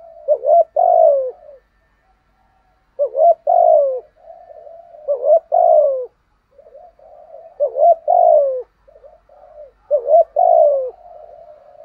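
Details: Decoy spotted dove in Vietnam luring wild doves: five bouts of loud, throaty cooing, each a quick rising note followed by a longer sliding-down coo, spaced two to three seconds apart with quiet murmuring between.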